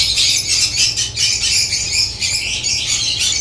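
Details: Unbroken, loud, shrill chirping from African lovebirds, high squeaky notes piling together in rapid overlapping phrases with hardly a gap, low hum in the background.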